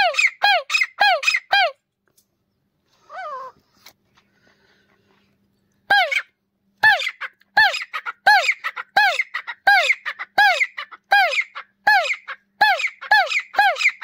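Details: Grey partridge, known locally as desi teetar: loud ringing calls come in rapid runs that curve down in pitch, then a short quiet pause, then the steady repeated series starts again.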